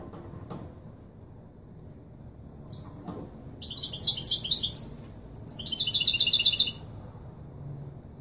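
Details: Goldfinch of Kobriya type giving Marrakchi Wedani song used for teaching young birds: soft clicks first, then two short, high twittering phrases over faint background hum.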